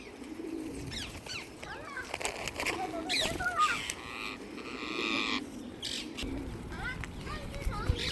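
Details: Wild, invasive rose-ringed parakeets (Psittacula krameri) in London, England, give harsh, grating squawks in quick bursts while competing aggressively over an offered apple, other birds chattering around them and faint voices in the background.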